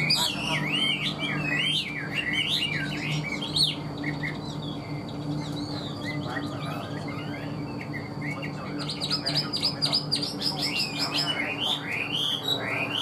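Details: Chinese hwamei singing in captivity: a dense, rich stream of high twisting whistled phrases, fluid and varied, pausing briefly mid-way before another burst of rapid warbling.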